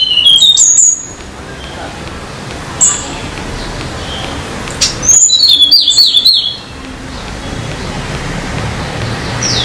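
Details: Sunda laughingthrush (Tledekan Gunung) singing actively in the wild at Banyuwangi, East Java: bursts of high, bright whistles and chattering notes in three short phrases over a steady forest hiss.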